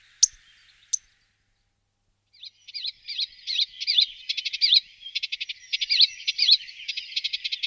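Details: Melodious warbler: two sharp clicking notes, a pause, then a fast, continuous babbling chatter of scratchy and twittering notes running without a break, in an otherwise quiet setting.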